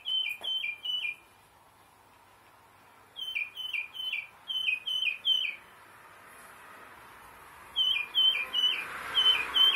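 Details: Tufted Titmouse whistling bright downslurred paired notes in repeated bursts of three to four, separated by pauses of about two seconds, with a rising broad hiss of background noise near the end.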